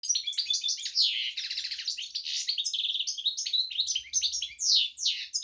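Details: Goldfinch x canary hybrid singing a rapid, dense run of bright twittering notes, chirps and fast trills with frequent shifts in tone, carried on continuously with only brief pauses; a faint low hum underneath.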